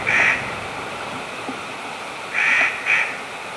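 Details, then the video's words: A jay gives three harsh, rasping screeches, one at the start and then a close pair about two seconds later, over a soft steady hiss. "a jay making funny noises"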